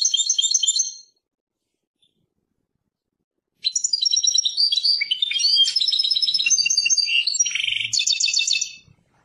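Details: Persian European goldfinch song, a brief twittering opener, a long silence, then an extended lively phrase of liquid chirps, slurred notes and a buzzy rattle near the end.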